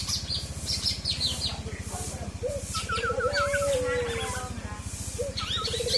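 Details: Forest oriole isian song: one long low whistle sliding gently down after a short upslurred note, with a wavering higher warble and busy high chirping from other birds above a pulsing engine hum.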